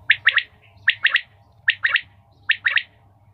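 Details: A common quail, possibly a female, gives a liquid three-note phrase, quick and sharply clipped, repeated about every eight-tenths of a second, with a faint low hum beneath.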